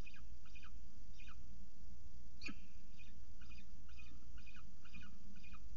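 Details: Peregrine falcons at a nest ledge at Charles Sturt University, Orange, New South Wales, filmed by a nest camera during a morning feeding; a series of short descending chirped calls repeats steadily over a low rumbling background hum.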